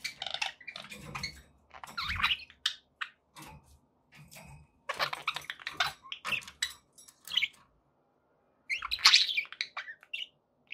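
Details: Pet budgies chattering indoors in broken bursts of scratchy, squeaky warbles and short clicks, mostly high-pitched, separated by brief silences; faint low thumps underneath.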